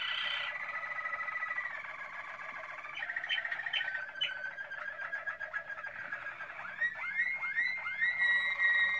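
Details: Malinois Waterslager canary song from 2016, a steady rolling trill shifting into fast bubbling pulses, then repeated upward-swooping whistled notes about every half second toward the close.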